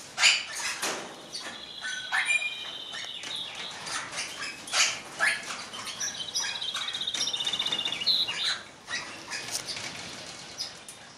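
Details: Eastern rosella, captive-bred in 2012, a black bird split for another colour: clear whistled notes held steadily, one near the middle and a longer one later, among scattered sharp chirps and aviary clatter.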